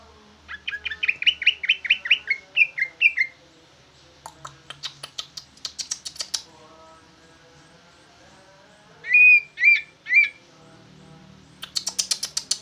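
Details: Jumbo-sized green leafbird singing busily in a bulbul-like style: a rapid run of buzzy chattering notes, then sharp clicking bursts, three loud arched whistles, and a final harsh rattling phrase.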